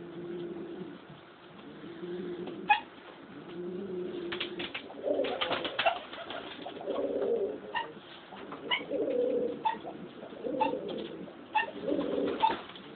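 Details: Pet pigeon indoors with hiccups that sound like a small dog barking: low soft coos alternate with short sharp clicky hiccup bursts, about a dozen scattered through, some in quick clusters.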